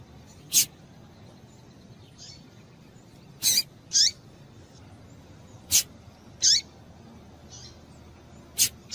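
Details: Female double-collared seedeater calling to stimulate a male to sing: short, sharp high chips at irregular intervals, some single and some doubled, each with a dry click-like burst. The background is quiet.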